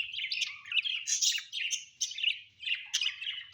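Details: Home-kept budgerigars give a continuous, wavering warble of squeaky chirps and short whistles, rising and falling in loudness with hardly a break.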